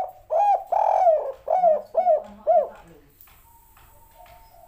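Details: Spotted dove master recording of the three-note call: low hooting coos, two long ones followed by three shorter rising-falling coos, the series ending before three seconds, then only a faint steady hum.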